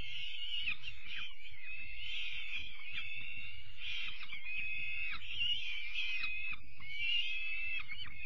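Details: Evening feeding of young peregrine falcons, 5 May 2021: a steady stream of grating, strained cries with small pitch wobbles and hardly any pause, alongside soft knocking and shuffling.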